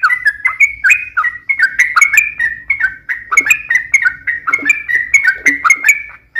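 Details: Chatty sooty-headed bulbul singing long and fast as a lure for others: bubbly whistled notes in quick phrases, some sharp slurred downstrokes, over a soft low hum, stopping abruptly at the end.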